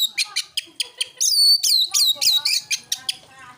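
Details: Oriental magpie-robin in fighting mode, singing to provoke other birds. Quick sharp chips, several per second, break into loud ringing arched whistles, then return to spaced chips over a faint lower warble.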